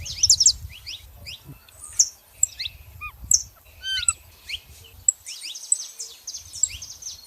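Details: Saffron finch pair, female and male, with irregular high chirps, a few lower curved whistled notes and sharp accents, over low rumbling background noise.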